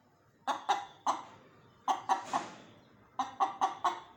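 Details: Chicken clucks from a rooster and hen, sharp and nasal, in three short clusters of two to four notes separated by pauses of about a second.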